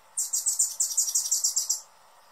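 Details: Hummingbird calling: a fast run of about a dozen high, buzzy chips packed into under two seconds, each note sharp and slightly rasping, ending abruptly into quiet background hiss.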